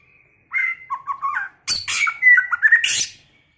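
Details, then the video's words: White-rumped shama in varied early-season song: a sequence of mellow whistled notes, then a harsh scratchy burst running into bright, slurred whistles and a high rasping flourish at the end. "chòe lửa hót,chòe lửa chuyền mùa đầu"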